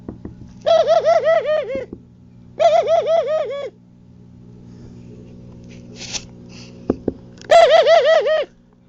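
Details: Pigeon cooing in three separate bursts, each about a second long, made of quick wavering nasal notes in rapid succession, with a steady low hum underneath and a few faint clicks between bursts.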